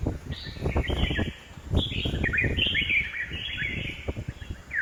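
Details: Red-whiskered bulbul calling in a home garden in Hosur: a run of chattering, warbled whistled notes, partly masked by heavy low-pitched background noise and thumps.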